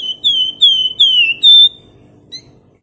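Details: Flamboyan bird in full energetic song: four loud clear whistled notes, each sliding slightly downward, given in quick succession, followed by a short faint chip, with low background hum.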